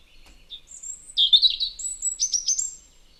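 A European robin sings a high, thin, silvery warble of quick tumbling phrases that jump between pitches, with no other sounds behind it.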